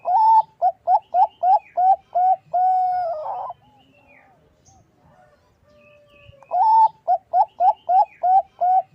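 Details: Bangkok zebra dove, a female calling a male, used as a lure: a fast run of about eight short, clear coos, one longer drawn note, a quiet gap of roughly three seconds, then another quick series of coos.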